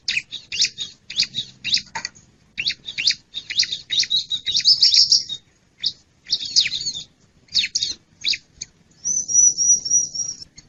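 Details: Bar-winged prinia (ciblek) lure recording for catching wild birds: bursts of rapid buzzy chirps and scratchy notes with short pauses, ending in a thin, very high, trilling whistle held for over a second.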